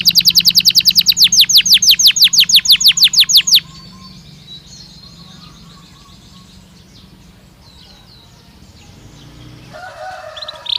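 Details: Belgian canary song used as a training stimulus to encourage singing: a rapid tour of bright, descending whistled notes for about three and a half seconds, then near silence with faint distant chirps and a brief higher note at the end.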